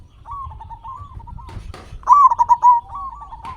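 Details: Local Indonesian zebra dove in full song, used as a lure to make captive doves sing: soft cooing phrases, then one loud burst of rapid staccato coos near two seconds, over low rumbling background noise and a few clicks.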